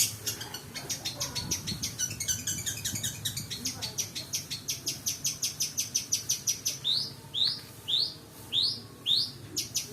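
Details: Long-tailed shrike (pentet) song used as a lure, full of 'isian' inserted phrases: fast trains of high, dry repeated notes, then from the seventh second a series of sharp rising whistles, with a low hum beneath.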